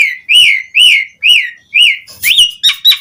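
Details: Asian pied starling in lively song, recorded as a lure to prompt other starlings to sing: loud whistled notes, each rising then falling, repeated about twice a second, ending in a quicker run of sharper, higher whistles.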